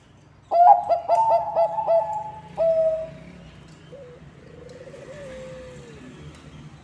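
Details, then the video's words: Zebra dove of the Bangkok type, song played to attract other zebra doves: a rapid series of six sharp staccato coos followed by a longer note, then a faint, wavering purred trill that fades out. "Bunyi Perkutut Bangkok ASLI Ampuh untuk Pancingan semua perkutut"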